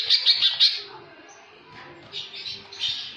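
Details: Greater green leafbird in jamtrok song with tengkek (kingfisher) fill: three or four quick, piercing high chips at the start, a soft lull, then scratchy, chattering high notes building again toward the end.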